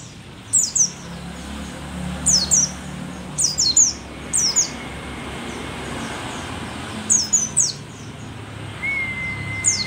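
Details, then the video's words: Mountain white-eye, pleci dakun from Merapi, said to be rare and endemic, singing strongly in old age; short bursts of high, thin downslurred notes repeated every second or two, with a faint steady whistle near the end. "pleci merapi tak kan pernah ingkar janji, tua tua gacor"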